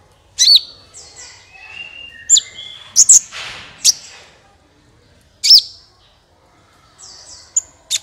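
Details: Sunbird song for luring other birds into song: widely spaced, piercing high notes with thin descending whistled tails, a couple of paired chips in the middle, and quiet gaps between phrases.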